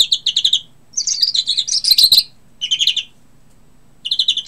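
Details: European greenfinch singing in short bursts of rapid, evenly spaced trilled notes, each burst under a second, separated by brief pauses, with one denser twittering run in the middle.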